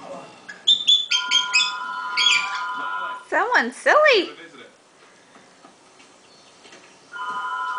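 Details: Female pet eclectus parrot chattering to herself indoors: sequences of pure whistled tones, rapid rising-falling chirps, and mimicked speech-like sounds, ending with a steady held whistle.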